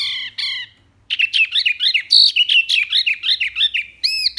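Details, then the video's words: Varied wambi song meant as a master for other songbirds: two short high notes, a pause, then a dense, rapid jumble of twisting chirps and whistles, closing with clear arched whistles. "BURUNG WAMBI MINI GACOR SUARA BANYAK LANTANG JERNIH"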